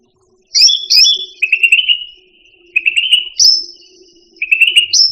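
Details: Indonesian grassbird, locally cucak rante, in a master recording for songbirds: sharp high whistled openings followed by long fast trills that fade out, repeated three times.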